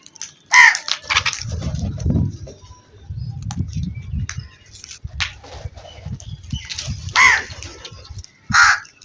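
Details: Crow producing loud, hoarse caws, one early and two more close together near the end, over a low rumbling background.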